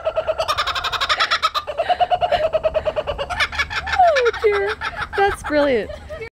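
A laughing kookaburra gives its laugh: a fast, even chatter of pulsed notes that breaks into loud, swooping hoots and cackles, rising and falling in pitch.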